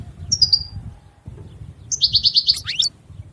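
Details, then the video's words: European goldfinch song: a short high whistle, a pause, then a quick run of rapid twittering notes ending in a sharp descending note, over low background rumble. "Chant Chardonneret تغريد طائر الحسون"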